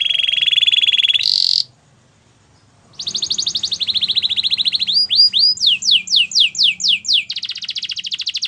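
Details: Canary singing a varied song of the kind used to train other canaries: a buzzy high trill, a short sharp burst, a pause, then a rapid roll, a run of whistled slurs about three per second, and a fast closing trill.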